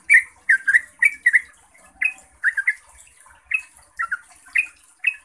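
A yellow-vented bulbul gives bubbly, gurgling phrases of two or three liquid notes, repeated about every half second, over a faint high hiss.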